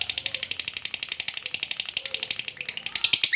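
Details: Lovebird giving the long chattering ngekek panjang song used as a lure to provoke other lovebirds: very rapid, even string of high, dry buzzy pulses, about eight per second, growing brighter and harsher at the end.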